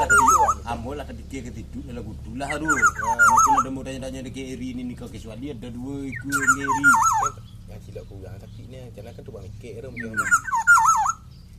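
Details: Black-naped oriole song: rich, liquid whistled phrases with a dipping, wavy shape, given about every three to four seconds, with people talking throughout.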